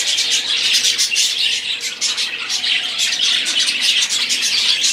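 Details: Chorus of budgerigars singing, bright chirps and tweets in quick succession over a dense warbling background, with a short lull around the middle.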